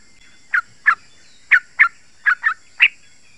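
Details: Yellow-vented bulbul sounds used to lure wild birds in forest or garden: single short, bubbly chirped notes spaced about half a second apart.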